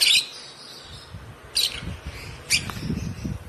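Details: Three bright, scratchy chirps about a second apart come from a one-month-old African lovebird chick, hand-raised from two weeks of age, while soft low rumbling handling noise runs underneath.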